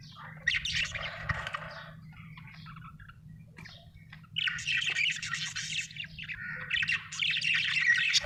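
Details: Happy budgerigar chirping in bursts of scratchy, buzzy warbling chatter with short pauses, over a steady low hum.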